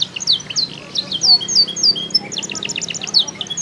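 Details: Canary from Comal, Pemalang, Central Java, Indonesia, delivering a lively high song of bright whistled slurs followed by rapid chattering trill notes, with a faint low hum beneath.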